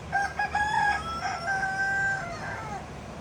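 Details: Polish hen laying her blue egg, giving drawn-out, tonal nasal calls, a few short notes followed by long level wails that trail off, over a faint low background hum.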